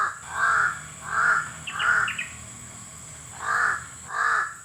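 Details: Crow, called uwak locally, cawing hoarsely three times, falling quiet for about a second, then two more caws; quick chirps from another bird overlap the third caw, with a steady high whine behind.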